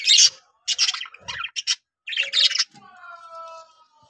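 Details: Budgerigars, three caged breeding pairs that have started breeding, give loud harsh buzzy chirps in bursts, with short gaps between them, followed by a softer warbled chatter and a thin sustained whistle-like tone.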